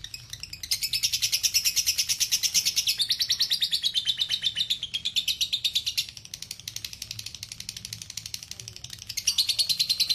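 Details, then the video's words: Masteran lovebird song in the long ngekek style: a dense, rattling high trill lasting ten seconds, dropping in loudness around six seconds and surging again near the end. "Masteran Lovebird ngekek panjang"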